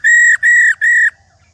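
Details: Rò call of an old female white-browed laughingthrush taken from the wild, played to spur males into song: three loud, nasal, evenly pitched notes of about a third of a second each, back to back.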